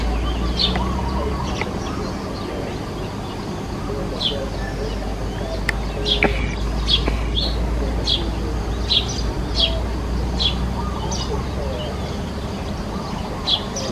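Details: Sparrow at work on its nest: brief sharp chirps repeated irregularly, about two each second in bursts, over a constant low droning hum with faint voices in the background.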